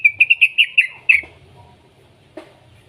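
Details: Juvenile yellow-vented bulbul used to set off other bulbuls: a quick series of about seven sharp, evenly spaced chirps lasting a second, then near quiet with one faint click.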